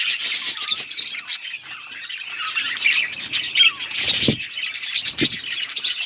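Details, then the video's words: Colony of budgerigars chirping while eating: dense, overlapping high-pitched chatter and squawks with short whistled notes, continuous throughout, with a couple of soft low thumps. "Budgies parrot eating and chirping sounds budgies colony"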